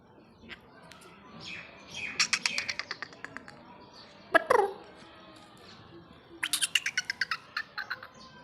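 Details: Black francolin with two bursts of rasping, rhythmic pulses, the first near two seconds and the second near six and a half seconds, separated by a sharp sliding click and a quieter gap.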